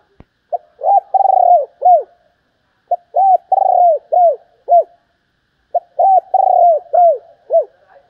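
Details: Female spotted dove calling to stimulate males. Three near-identical phrases about every two and a half seconds, each a short note followed by a trembling long coo and several falling arched coos.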